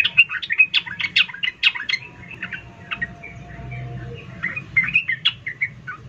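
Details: Sooty-headed bulbul female calling for a male in emotional ngecuplik chatter, used to provoke lazy males: a fast burst of sharp sweeping chirps, a quieter stretch, then another cluster of bright notes.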